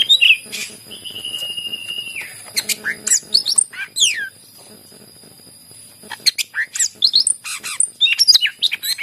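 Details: Greater green leafbird singing to encourage other leafbirds, opening with a long level whistle, then steeply falling slurred notes and scattered sharp chirps, a quiet gap, and a fresh burst of rapid high notes.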